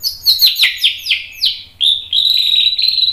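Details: White-rumped shama song meant to stir other birds into singing: a series of sharp, sweeping downslurred notes about every quarter second, then a sustained high, fast trill.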